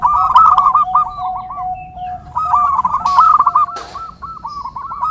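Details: Zebra dove song for luring and training perkutut: rippling trilled coos above a sustained lower tone. A quieter gap falls in the middle, then a second long bubbling run.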